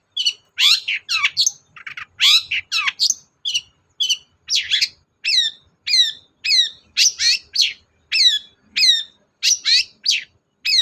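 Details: Long-tailed shrike, a lure song meant to get a reluctant cendet to sing, delivered as a rapid, steady series of loud harsh notes, each a sharp downward sweep, repeated about twice a second with no other sounds.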